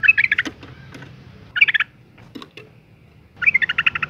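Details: A female Yellow-vented Bulbul in breeding condition calls males in bursts of rapid chattering notes. Sharp clicking noises fall between the bursts.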